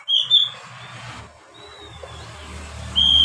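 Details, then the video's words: An Oriental magpie-robin sings clear, high whistled phrases: a bright opening pair of notes, a softer drawn-out whistle, then another loud ringing note, over a quiet background. "SUARA KACER buat PANCINGAN KACER PEMULA agar cepat gacor"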